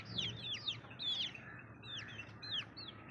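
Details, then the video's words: Baby chicks chirping: high, thin peeps that slide downward, scattered irregularly over a soft, steady background hum. "Baby Chicks Chirping Sounds"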